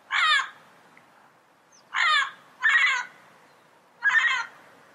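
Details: Harsh, hoarse squawks from a Yellow-headed amazon: four rasping calls, the first standing alone, the next two in quick succession, then a final one after a short gap.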